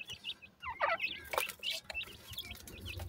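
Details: Francolin chicks feeding and playing utter a quick flurry of thin, high peeps, briefly clustered into a busy chattering run, with sharp clicking noises between calls.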